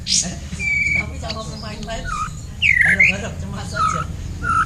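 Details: Blacktail white-rumped shama singing against a kapas tembak master bird during song training; clear level whistles alternate with looping down-and-up slurred notes and short chips, with steady low background hum.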